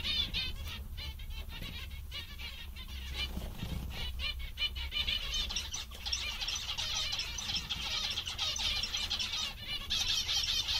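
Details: Happy zebra finches chatter nearly continuously, many nasal stacked chirps overlapping, with clicks and rustles and a low steady hum beneath.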